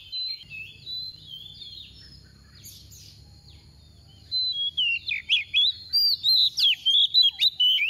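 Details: Oriental magpie-robin decoy bird singing 'tìu tíu tiu' to stir other birds to sing. A quiet opening with faint high notes, then a rapid, loud run of sharp whistled and slurred phrases fills the last four seconds.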